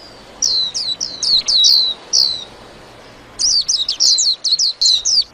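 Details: Chattering song of a white-eye, two rapid bursts of sharp, high, falling chirps separated by a silent gap of over a second.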